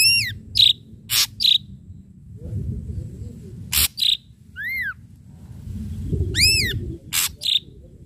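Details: Ashy drongo song for luring, an irregular string of arched whistles, short buzzy notes and loud harsh bursts, some paired, over a low rumbling background.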